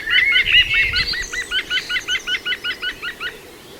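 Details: Juvenile female green woodpecker (Picus viridis) at Walthamstow Waterworks Nature Reserve, London, UK, 5 September 2022: a rapid run of about a dozen evenly spaced, hooked, ringing notes, preceded by a brief louder chattering burst.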